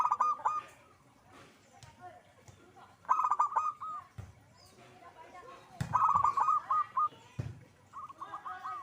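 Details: A zebra dove in full voice delivers four phrases of quick, rolling staccato coos, the phrases spaced about two to three seconds apart, with faint background noise in between.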